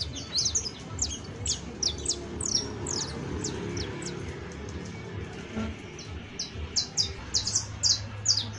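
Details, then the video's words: Saffron finch, exemplary canario criollo, delivering bright high chirped phrases in clusters, with a quieter gap midway and a low background hum. "AUDIO DE CANTO DE CANARIO CRIOLLO EJEMPLAR [SICALIS FLAVEOLA]"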